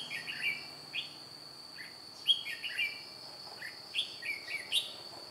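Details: White-cheeked red-whiskered bulbul used as a decoy to lure wild birds into a trap, recorded 2 July 2018. Lively, warbled whistled phrases repeat about every second throughout, over a constant high-pitched insect buzz.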